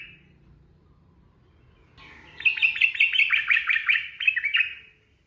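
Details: Sooty-headed bulbul in full ropel song, a masteran recording for training birds: after a quiet start, a dense chattering cascade of quick liquid notes runs for over two seconds, then fades out.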